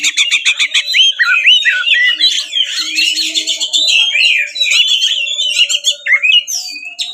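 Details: Fighting 'ngeplong tarung' song of an Oriental magpie-robin, rich in fill material and used to goad other magpie-robins to sing and spread their tails; opens with rapid repeated sharp notes, then flows into varied whistles, trills and slurred rising calls, with a faint steady hum underneath.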